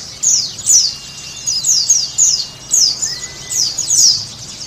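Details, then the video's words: Sunda white-eye song used as a lure to get a caged bird singing, made of high, sharp descending chirps in quick clusters separated by brief pauses, with a faint low hum beneath. "Terapi pleci supaya cepat bunyi dan buka paruh|| Pancingan pleci"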